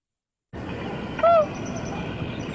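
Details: Common loon giving a hoot, its shortest call and a greeting used among loons in groups and by parents encouraging chicks: a single soft, short note, slightly rising then falling, over a steady background hiss.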